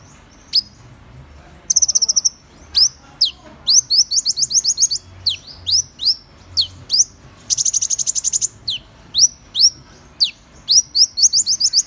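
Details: Van Hasselt's sunbird delivering sharp, high slurred notes, some falling and some rising, broken by two dense, rapid trills.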